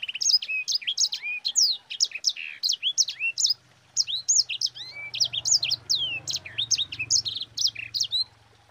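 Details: Sanger bird singing in a fast, continuous roll of sharp, high whistled notes that sweep up and down, with a brief pause near the middle, used as a training song to prompt other birds to sing.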